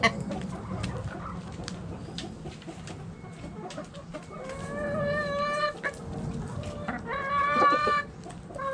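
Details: Backyard hens and roosters in the coop: low scattered clucks and murmurs, then drawn-out harmonic cackling calls from about five seconds, one loud stretched call near seven to eight seconds.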